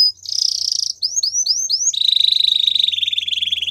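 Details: Belgian canary opening with a buzzy trill, followed by four rising-then-falling slurred notes and a long rolling pulsed trill to the end.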